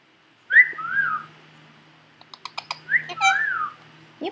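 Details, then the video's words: Three-year-old male Indian ringneck kept as a pet indoors, chattering as usual while filmed unaware by a computer; two groups of quick whistled speech-like phrases separated by a run of soft clicks. "parrot talking to me"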